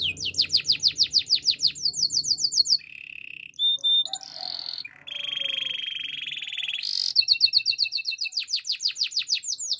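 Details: A Spanish Timbrado canary sings strings of rapid upward-sweeping notes, breaks into low buzzy rolls and a sustained mid-pitched trill, then returns to the fast sweeping series.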